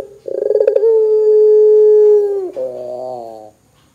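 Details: A Barbary dove calls hard to get other doves calling: a fast stuttering roll leads into a sustained, steady coo of about one and a half seconds, then a short, lower, reedy note before silence.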